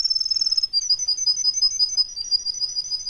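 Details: Russian canary singing a very high, fast rolling trill that runs steadily almost without a break, with a softer lower pulsing note beneath.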